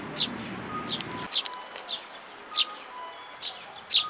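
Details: Short, sharp high chirps from sparrows with a chick, recorded 18 May 2018, come singly or in small bursts. A low murmur stops after the first second, and faint thin tones sound underneath.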